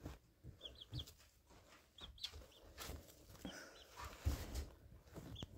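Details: A house sparrow chick about 13 days old in a dark nest gives faint, high, short chirps, singly or in quick pairs, every second or so, over a low muffled rumble and scattered knocks.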